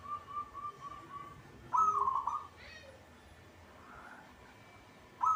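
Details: Local zebra dove singing in its cage, giving a soft run of even coos, then a loud bubbling trilled phrase, a quieter one, and the start of another, against light background noise.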